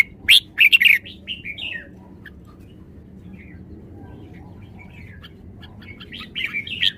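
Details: Red-whiskered bulbul delivering a run of loud, quick whistled notes that slide downward, then falls mostly quiet with faint chirps before another lively warbled phrase at the close.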